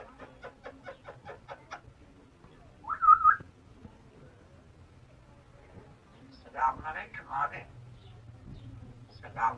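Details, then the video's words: A very talkative pet African grey parrot gives a run of quick clicks, a clear whistle, then short bursts of voice-like talking chatter. "Talkative African Grey Parrot"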